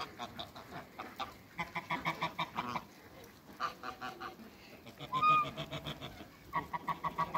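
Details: African and Toulouse geese greeting a newcomer at a waterbird farm, giving loud rhythmic bursts of harsh nasal gabbling, then a pause, a ringing honk, and more rapid chattering honks to the end.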